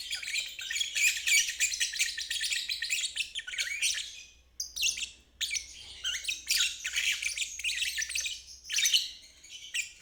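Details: Lovebird giving a dense, harsh, chattering trill, used as a teaching recording for young birds learning to sing; bursts of scratchy high twittering of several seconds each, broken by brief pauses.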